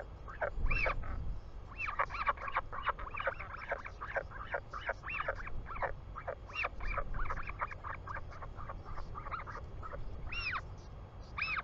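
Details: Royal albatross chick greeting its returning father in New Zealand, afternoon of 24 July 2020; rapid run of high whistled peeps and chattering notes for over ten seconds, with wind rumbling low.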